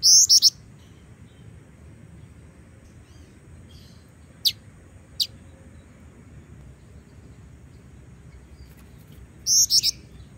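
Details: Female Black-winged Flycatcher-shrike singing actively, kept as a lure to train other birds: sharp, very high chirps in quick clusters at the start and end, with two single notes between, over a steady faint hiss.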